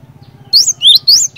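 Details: Cinereous tit (glatik batu), a persistently singing bird used to prompt other cinereous tits to sing: three loud, clear, high whistles, the first and last rising in sweeping slides, with a lower note between, over a faint low hum.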